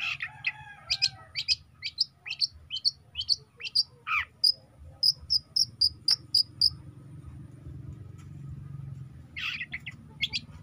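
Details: Juvenile long-tailed shrike singing: a run of rising whistled notes speeds into a steady series of thin high pips, then a quiet gap before two final harsh bursts, over low background hiss.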